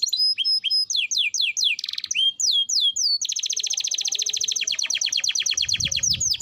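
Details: Canary song played to coax young canaries into singing: varied whistled and downslurred notes, a buzzy burst, then a long rapid rattling trill with faint low noise near the end.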